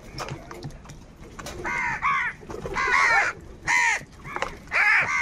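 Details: Crows fighting for food give hoarse, arched caws in short bursts of one to three, overlapping one another, with faint background noise between calls.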